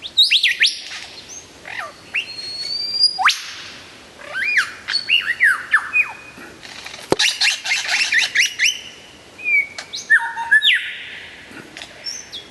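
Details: Lyrebird in dense, rapid song: a long stream of varied whistles, sharp clicks, harsh bursts, and sliding notes, with a sustained high tone near the end.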